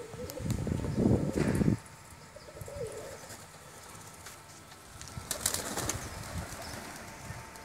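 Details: Pigeons kept at home as a hobby, several birds cooing: low throaty rolling coos, loudest in a dense burst early on, then softer wavering coos with fluttery knocks and background clatter.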